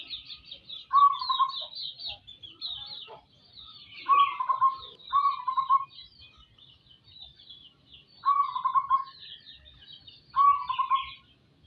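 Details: A local zebra dove in full voice gives five short, low, vibrating coo phrases spaced a few seconds apart, over steady twittering from smaller birds.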